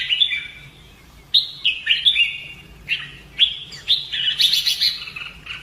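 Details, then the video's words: Red-whiskered bulbul, a caged bird in Vietnam, in training for fighting song, roused to sing hard: short bright warbled phrases in bursts with pauses of about a second, notes sliding and dropping, fairly quiet background. "CHÀO MÀO | Luyện giọng chim hót hay hót đấu - kích ché lên lửa"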